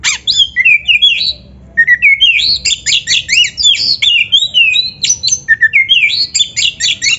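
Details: Magpie-robin song recorded as a masteran for caged kacer: quick, clear whistled notes sliding up and down, strung into lively, continuous phrases with a short gap near the start.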